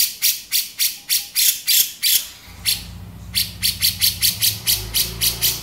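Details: Male grey-cheeked bulbul in 'beset' style: rapid, raspy, squawking notes repeated about three to four times a second, a pause near the middle, then the rhythm resumes over a low hum.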